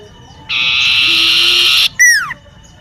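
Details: Garden song of a common iora heard near a home: a steady, buzzing trill of over a second, a brief pause, then a loud, clear, descending whistled note.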